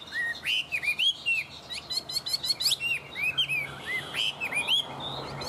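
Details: A tame Chinese hwamei kept in captivity sings vigorously: bright looping whistled phrases mixed with dense high chattering trills, delivered in quick bursts with short pauses between.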